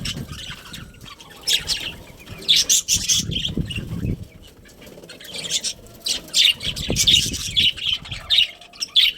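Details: Budgerigars in a breeding colony chirping in short bright bursts, mixed with wing flutters and rustling movement, with quieter gaps between the bouts of calling.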